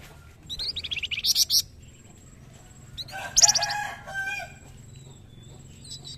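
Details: Young Scarlet Minivet singing a master song for training birds: a burst of quick high chirps rising into sharp piercing notes, then a second, louder and harsher chattering burst after a short gap.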